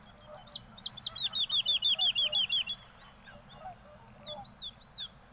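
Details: A woodlark sings in Castricum, the Netherlands, a fast run of about a dozen liquid, fluting notes that gently fall, then a few softer scattered notes, over a low background rumble.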